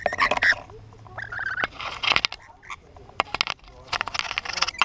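Lorikeets give harsh, raspy screeches and chattering squawks in short bursts, broken by sharp clicks and taps very close by.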